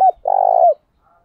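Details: Decoy spotted dove calling in the morning: a brief sharp note, then one long, throaty, vibrating coo that slides downward at the end, with no other sounds around it.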